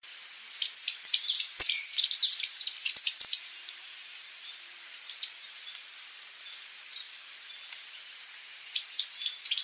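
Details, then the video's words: Mid-mountain berrypecker, a small bird of mid-mountain forest, sings like a kemade but with more power: a rapid run of very high, sharp chirps and ticks, a pause of several seconds, then another brisk burst, over a steady high hiss. "buah dada kuning, berkicau seperti kemade, namun power lebih keras"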